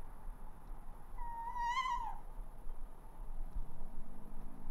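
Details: Tawny owl perched on a roof, calling: one drawn-out, slightly rising then falling wavering call lasting about a second, rich in overtones, over a low background hum.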